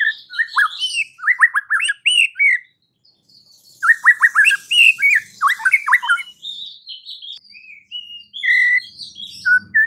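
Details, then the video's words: White-rumped shama (murai batu) song played to trigger other shamas into aggressive singing: rapid rattled whistle series, rich mixed phrases, then slower single clear whistles toward the end. "dengan cepat murai batu bakal ngamuk dan narung GACOR setelah dengar kicau murai ini"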